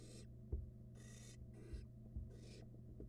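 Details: Barn owl nestlings, two of them eating rats side by side in a Florida nest box camera, 2022; four harsh, breathy hissing bursts over three seconds, with a steady low electrical hum and soft thumps.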